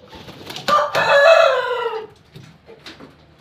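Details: Pelung–Bangkok cross rooster crowing once. A sharp onset leads into a loud, rich, slightly falling crow lasting about one and a half seconds, then soft background clucks.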